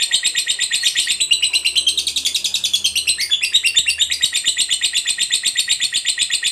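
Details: Long ngekek chatter from a fighter lovebird, played to get other lovebirds to sing quickly: dense, grating high chirps tumbling on without a break, pitch dipping briefly in the middle.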